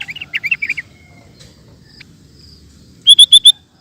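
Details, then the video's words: Sooty-headed bulbul in a ropel song bout: a bubbly, warbling phrase of rolling notes, a quiet pause, then four fast, bright, clipped whistles in quick succession. "Burung Kutilang Ropel Super Gacor"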